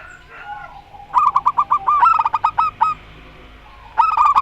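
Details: Zebra doves, local Rondo Semoyo type against an odd-voiced bird: a run of evenly spaced rolling notes merges into a faster trilled coo phrase, then a short rolling burst follows after a pause.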